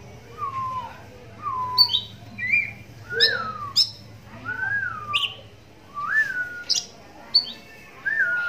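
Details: One-eyed oriental magpie-robin raised in captivity, its song used to draw answers from other magpie-robins; a series of separate downslurred whistles, each about a second apart, interleaved with short high metallic notes.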